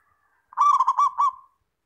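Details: Clear song of a local zebra dove, used to lure other doves into answering. One phrase of about six fast, throaty, pulsed coos ends in a fading drawn-out note, with no other sounds.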